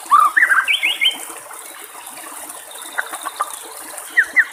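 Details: White-rumped shama singing in the wild beside trickling water: a quick burst of rising and falling whistled phrases, then softer scattered notes and two clear whistles at the end.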